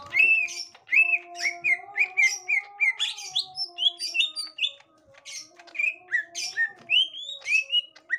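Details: Gotri green leafbird reacting to a young wild green leafbird: busy chattering of short whistled chirps at mixed pitches, roughly one note per second, over a steady low electrical hum.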